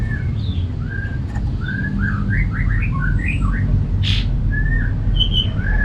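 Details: An Orange-headed Thrush (Geokichla citrina) sings a run of clear, varied whistled phrases, quick slurred notes tumbling up and down, over a steady low rumble. The song is used to prompt caged thrushes that are reluctant to sing.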